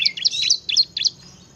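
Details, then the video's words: Bar-winged prinia giving a brief, buzzy scrap of lively ngebren song: a few harsh, high chirps run together over barely a second. "kicau burung ciblek gacor ngebren"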